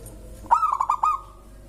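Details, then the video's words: Local zebra dove song, described as drawing other birds into singing: one short burst of rapid, soft, cooing notes fading into a held tone. "Suara indah perkutut lokal bikin burung lain ikutan bunyi gacor"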